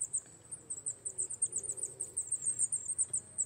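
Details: Rock-climbing Wallcreeper wintering in a Czech quarry or cliff: an almost unbroken stream of very high, thin, rapid twittering ticks at a slightly uneven pace, over soft low background noise.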